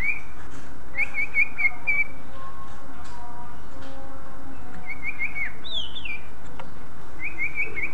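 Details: Greater green leafbird song meant to provoke other leafbirds into singing: short warbled whistled phrases near the start, again around the middle and at the end, with one sliding downward note, over a steady low hum.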